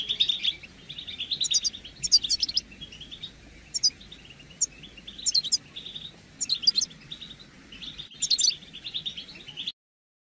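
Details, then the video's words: European goldfinch mating and readiness calls for males in moult; bursts of bright twittering alternate with piercing high trills about every one to two seconds, and the clip ends abruptly in silence. "بتبتة رائعة لتحفيز الحسون على الخروج من غيار الريش بسرعة"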